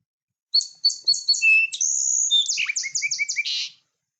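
A Song Sparrow sings a bright, high song: a few quick opening notes, a long clear whistle, then buzzy trills and rapid chips. Nothing else is heard.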